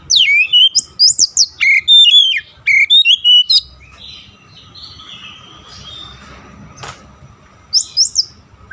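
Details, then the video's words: Oriental magpie-robin (kacer) during daily training for long rolling song: a fast run of loud varied whistled notes for several seconds, then softer warbling, ending with a short high burst. "TERAPI HARIAN KACER CEPAT NGEROLL PANJANG"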